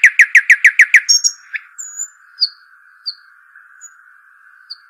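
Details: Arabian babbler, locally named shuhaim or dakhal: a quick regular run of about seven piping notes in one second, followed by a few faint high whistles spaced out over a steady humming tone.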